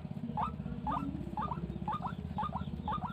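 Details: White-breasted waterhen, wild and described as very fierce, repeating a short hoarse two-part note about twice a second in a steady series, with a constant low mechanical-sounding hum beneath.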